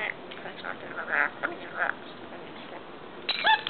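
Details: Pet talking rainbow lorikeet, telling the owner off because he hates people touching his mirror, mutters a few short, speech-like syllables in a raspy, nasal voice, ending in a brief bright squawk.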